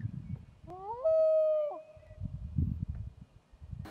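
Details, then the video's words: A common loon in Maine, recorded from a kayak, gives a single clear, mournful call that rises, then holds steady for about a second before fading, over soft low rumbling background noise. "Loon Calls"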